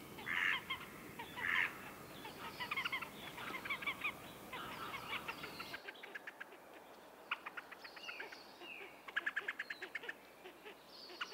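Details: Horned (Slavonian) grebe (Podiceps auritus) calling with harsh nasal squeals and rapid chattering trills, some notes rising and falling, repeated in quick bursts.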